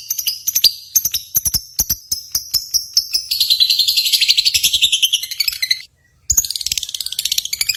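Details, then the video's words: Lovebirds at a singing contest, sounds meant to rouse pet birds: rapid clicking chips build into a dense, shrill chattering trill lasting several seconds, then a brief break before the fast chatter resumes. "SIMULASI BURUNG LOVEBIRD"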